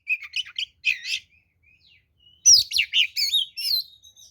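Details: Fighting song of an oriental magpie-robin, used as a lure: a few chattering phrases, a near-silent pause, then a loud run of sweeping whistles and rough twittering notes.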